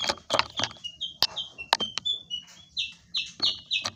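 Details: Greater green leafbird: short, flat, high-pitched notes repeated in quick bursts, broken up by loud sharp clicks and taps.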